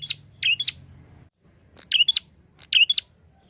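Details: Chatty prinia calling to lure flock-kept birds: three quick bursts of sharp paired chirps, each a buzzy note and a shrill rising squeak, close together over a faint hum.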